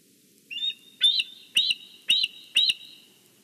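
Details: Bald eagle calling at its nest in Big Bear as a fish is brought in, caught by a nest camera: a soft lead-in, then four loud, high, piping notes about every half second.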